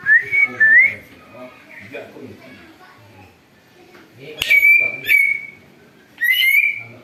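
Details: Greater green leafbird said to mimic an eagle, used to lure birds: short rising whistles, then a quiet gap, then three loud level whistled notes, over faint low background sound.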